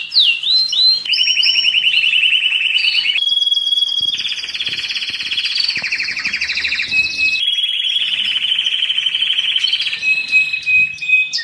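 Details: Canary song used for training and stimulating birds during moult and rest: continuous fast rolling trills shifting between pitch levels, with whistled upswept notes at the start and a thin sustained high tone midway.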